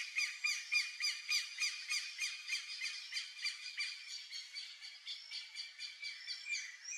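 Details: A bare-faced ibis in the Pantanal gives a fast series of nasal, squeaky honking notes, about three or four per second, easing off slightly toward the end.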